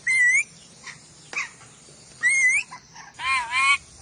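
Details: Ornate lorikeet of Sulawesi in a masteran track: two loud rising squeals, small chirps, and a long harsh undulating screech close at hand.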